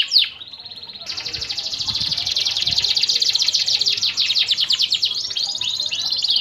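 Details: Canary singing a long song meant to coax moulting canaries into sound. A brief call opens it, then a sustained high rolling trill of fast repeated notes that shifts into sweeping, looping phrases, with faint low thumps beneath.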